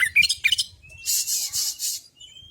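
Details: Male Oriental magpie-robin song, used to prompt another bird to sing: a few clear whistled notes, then bursts of harsh high rasping noise and a thin rising whistle.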